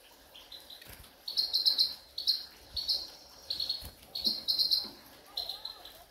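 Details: Grey-headed goldfinch in a ravine giving short bursts of high, buzzy twittering trills. The phrases come about once a second, separated by short quiet gaps, over faint background noise.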